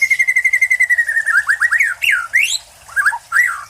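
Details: Caged white-rumped shama, a competition-winning bird, singing: a fast train of evenly repeated whistled notes slowly falling in pitch, then varied swooping and rising whistled phrases.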